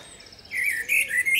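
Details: Singing female common blackbird in a forest: after faint high ticking, a loud burst of warbled whistles and shrill, squeaky twitters in quick succession.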